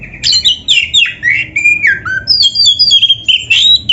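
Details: Oriental magpie-robin singing steadily for caged-bird training: rapid sequences of bright whistles, rough notes and downward slurs, with high trilled phrases toward the end.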